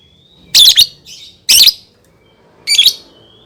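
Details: Lovebird song meant to coax young birds into singing: three loud, raspy, buzzy chirp bursts spaced about a second apart, with a faint thin whistle before and after.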